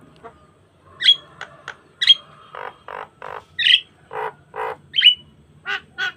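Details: A gacor Javan myna pumping out varied song as a training lure: sharp high whistles alternate with rough, buzzy low bursts spaced about half a second apart, ending in scratchy chatter.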